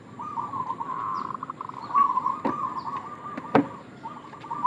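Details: Bait call of a local zebra dove, an almost unbroken rolling, trilled cooing with brief pauses, punctuated by a few sharp knocks and clicks.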